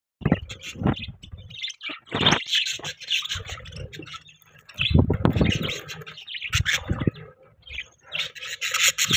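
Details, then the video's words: Pet budgerigars chirping in the morning, a dense run of short high chirps and warbles with bursts of low thumping and rustling noise between them. "Morning Time Budgie Bird Ka Shoor Shrabaa , Budgie Chirping Sound, Budgie Noise"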